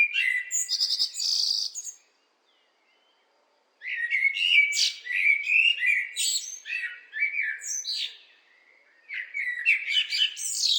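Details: Blackbird singing: a high, scratchy twitter, then about two seconds of silence, then mellow, fluty warbled phrases, each ending in thin squeaky notes, with a fresh phrase starting near the end; no other sounds heard.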